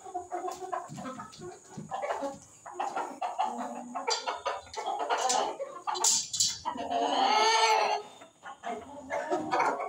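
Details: White Leghorn chickens fighting: dense bursts of clucking and squawking overlap throughout, with a loud, harsh, broadband squawk around seven to eight seconds, over a steady high-pitched background hum.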